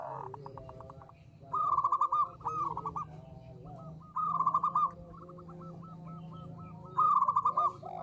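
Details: Local zebra dove, lively singer with a small voice, used as a lure: bursts of rapid, rolling cooing notes near one pitch, in three main phrases, with a softer overlapping bird and a low steady hum beneath.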